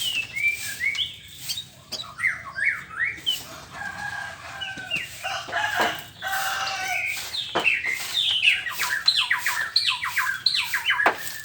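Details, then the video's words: Morning song of a white-rumped shama, a long, dense run of varied whistles, slurred notes and harsh chatters delivered almost without pause, growing louder toward the end. "ocehan burung murai batu di pagi hari"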